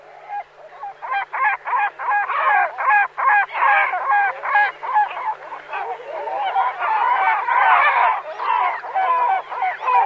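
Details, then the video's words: Great black-backed gull (Larus marinus) giving deep, hoarse, barking calls in quick repeated series, about two or three a second, merging into a longer raucous volley. "Морская чайка - Larus marinus"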